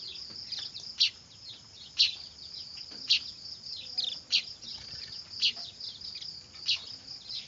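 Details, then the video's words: Noisy young weavers whose calls serve as a trapping lure: bright high chirps spaced roughly a second apart, riding on a constant high buzzing background. "Suara anakan burung manyar ribut cocok buat pikat"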